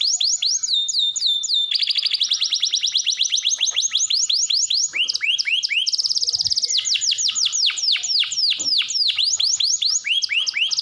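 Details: Hard-singing canary used to prompt other canaries: long shifting series of rapid trills and sharply descending whistled sweeps, changing tempo several times with no pause.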